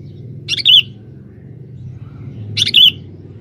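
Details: Sooty-headed bulbul, a male kept as a lure in forest, giving two short bright chirped phrases about two seconds apart over a steady low background rumble.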